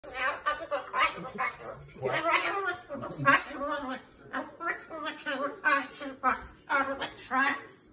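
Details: Pet umbrella cockatoo, excited, rattles off a rapid, speech-like babble in choppy bursts, rising and falling like an animated rant, telling its owner a daily "story".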